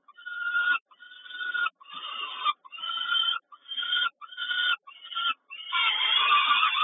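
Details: Peregrine falcon at a nest in Kawęczyn on 3 June 2022 as the mother brings breakfast; harsh, nasal calls come in rhythmic bursts of about a second, separated by short pauses, ending in a denser, more ragged stretch.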